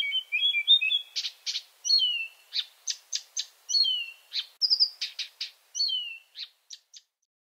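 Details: A Marsh Warbler in Finland sings at night with a warbled trill, then a string of chirps, downslurred whistles and dry clicks, thinning out toward the end.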